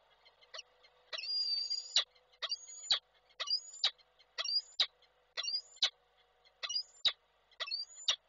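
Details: Male peregrine falcon calling to the female at a nest-site webcam in Koszalin, Poland, on 12 December 2023. A long opening call is followed by a steady run of sharp, two-part high notes, each a rising squeal ending in an abrupt chip, roughly one per second.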